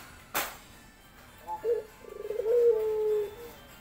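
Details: After a sharp click, a male dove courting a female gives two short notes and then a pulsed, stuttering run flowing into a long, level, low coo.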